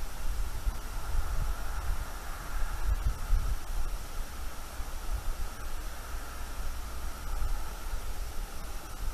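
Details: Steady hiss and low rumble through the night, with a faint hum and occasional soft rustles, and no animal voice.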